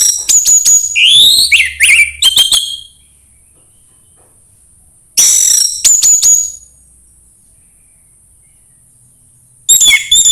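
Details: Orange-headed thrush song, played to encourage another bird to sing: bursts of varied, rapid whistled and chattering phrases, then a long pause before the next burst, over a steady thin high-pitched whine.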